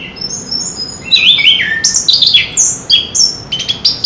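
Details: Chestnut-capped thrush in full song, a rapid varied run of high whistles, slurred descending notes and quick chirps strung together without pause.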